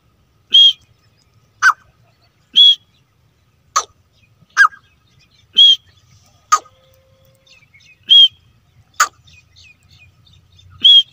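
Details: Grey francolin (teetar), a pair, in a hunting setting: short, sharp, ringing notes with a clicky attack, given singly about once a second over a quiet background.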